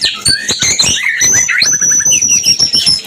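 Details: Mating song of a white-rumped shama, played as a breeding-condition lure: rapid, hard clicks and chattering notes under a long, thin, high whistle held steady, with short mid-pitched whistled phrases woven between.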